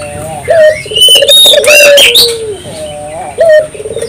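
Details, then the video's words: Spotted dove singing to stimulate local doves to sing; a drawn-out low coo sliding down, overlapped by loud high chirps and whistles from another bird, then a short rising coo and trill. "suara burung puter gacor,merangsang burung puter lokal ikut gacor"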